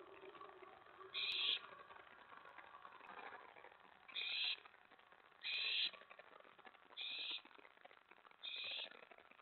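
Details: Nest owl recorded after midnight on 24 May 2017, when a mouse and then a rat were delivered. Five short, breathy screeching hisses sound in an uneven series against a faint background.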